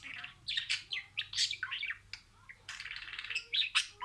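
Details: Budgerigar speaking imitated words: scratchy, breathy syllables and squeaks in quick clusters, a short pause, then a dense run of hissing chatter.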